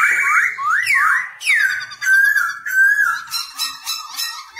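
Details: Black-throated laughingthrush singing as it dances, a song used for training newly caught birds; strong whistles sweep up and down, then long descending slurs, with harsher buzzy notes closing the phrase.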